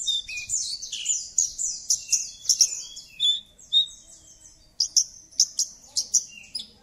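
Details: High, rapid Javan bush lark song used as a prompt for a silent bird. Dense tumbling phrases of squeaky slurred notes give way to a series of evenly spaced bright chips.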